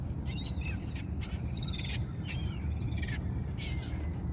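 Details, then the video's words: Hungry seagulls calling: a series of harsh, nasal, slightly descending calls in bursts of about one second, repeated four times with short gaps, over a steady low rumble of background noise. "The sounds of the seagulls hungry"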